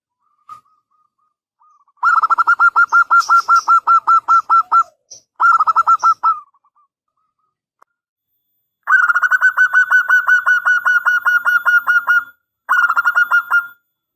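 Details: Local zebra dove (perkutut lokal) in full, lively song with a long 'angkatan panjang' opening phrase, played as a lure and master song for other doves; rapid rolling runs of soft mid-pitched cooing notes in bursts of two to four seconds, separated by brief pauses.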